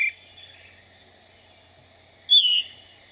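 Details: Veery, a thrush of lush understory in wet forest often near streams in Pennsylvania, singing from low to mid level: a single loud, slurred 'veer' dropping in pitch over a steady high buzz of crickets.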